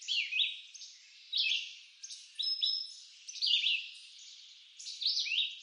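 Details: Red-eyed vireo in eastern North American woods repeating terse whistled phrases about once a second, each phrase slurring downward or up and down, with short gaps of quiet between.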